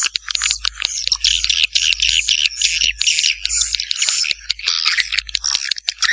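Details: A 'janda' swiftlet calling sound from Vietnam, used to attract swiftlets: dense, scratchy twittering phrases running almost without break, punctuated by clicks over a soft low hum.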